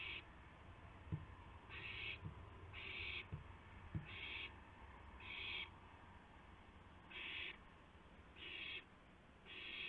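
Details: Owl at 2:51 AM on 2 April 2016, around a delivery of a gopher from one owl to another; harsh, hissing screeches of about half a second, repeated irregularly about eight times, with low rumble and soft knocks beneath.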